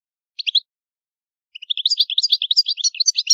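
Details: Old-style song of an Italian European goldfinch: a brief trio of high chirps, a pause, then a rapid, continuous liquid twittering phrase rising and falling.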